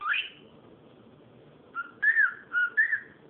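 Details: Cockatiel calling, a few short whistled notes: one rising upslurred call, then after a pause a series of brief whistles repeated about every half second, with low indoor background hum.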